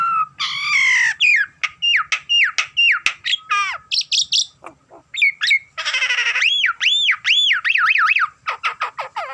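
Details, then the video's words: A Nias hill myna gives a long, varied song of loud chopped notes, squeaks and looping rising-falling whistles, delivered in quick succession with short gaps. "Burung jalak terlalu gacor"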